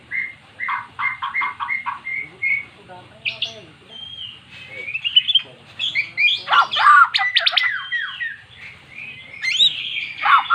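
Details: Magpie-robin, kept and previously silent, responding to recorded song: a rapid train of short repeated notes, scattered whistles and chips, then dense loud bursts of sharp, sweeping calls, with faint voices in the background.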